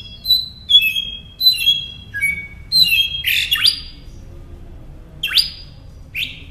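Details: Northern mockingbird song for training caged songbirds: a run of varied high whistled notes, some doubled, building to harsh buzzy bursts and a rising sweep, then trailing off into scattered calls.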